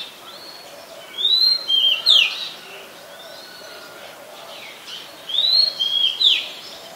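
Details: Oriental magpie-robin in Ubon Ratchathani, Thailand, 20 March 2022, a very common resident; two matching phrases of three bright whistled notes, a rising sweep, a level note and a sharp downslur, about four seconds apart.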